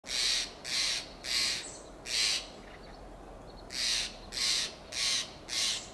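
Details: A Steller's jay in a coast live oak in Del Monte Forest, California, gives loud, raucous, harsh shack notes in two quick bursts, about eight in six seconds, over a faint background hiss.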